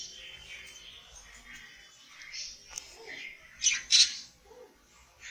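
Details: Happy budgerigars chatter with rapid, scratchy high chirps and a couple of louder squawks.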